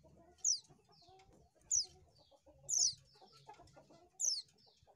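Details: Oriental white-eye used as a lure, uttering piercing high downward-sliding whistles about every 1.2 seconds, each trailed by a faint echoing note, with low muffled clucking behind.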